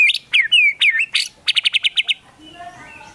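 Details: Energetic White-rumped shama song full of imitations, including Sooty-headed Bulbul phrases. Sharp downslurred whistles and bright bursts lead into a fast, evenly spaced run of about eight clipped notes. The song then stops, leaving soft background murmur.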